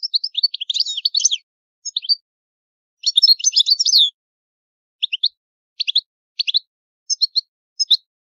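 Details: European goldfinch, Italian bird in the old-style song, delivering dense bursts of tinkling, buzzy high twitters, then short paired chirps repeated at roughly half-second gaps.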